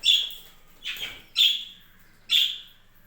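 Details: Budgerigars kept on a home budgie farm: four loud, sharp chirps spaced unevenly over three seconds, the second one softer and noisier, with a quiet background between calls.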